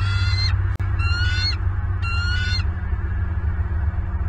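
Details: Loud bald eagle calling from a Southwest Florida nest on 25 November 2022, 07:07: three quick series of shrill, rising, chattering whistles in about two and a half seconds, then only low rumbling background.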